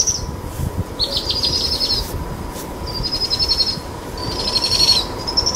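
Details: High trilling of two powerful owl chicks begging as the mother feeds them a brushtail possum at dusk; four pulsed trills, each about a second long, come in steady succession with a faint constant hum behind.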